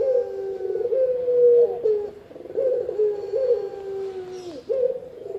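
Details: Soft, low cooing from a Spotted dove, a sound played to lure birds and to train them. Linked sustained notes are interrupted by brief breaks, and a fresh phrase begins near the end.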